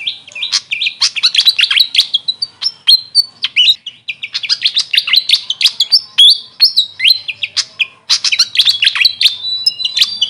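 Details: Grey fantail, called Maria Capra in local speech, singing a long, busy run of high chirps and squeaky whistles with only brief pauses.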